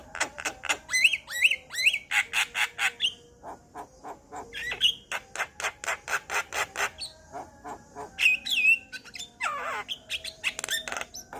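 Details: Male Javan myna in full song, said to trigger singing in other Javan mynas: long rapid series of sharp clicking rasps interspersed with short rising whistles and chattering phrases.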